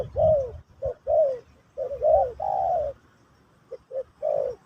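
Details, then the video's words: Spotted dove giving Pesom or Kacuk song to teach a new bird: soft falling coos in quick pairs, building to a long sustained note, then a pause and a few short coos. "Burung Terkukur Pesom/Kacuk...Sesi Mengajar Burung Baru"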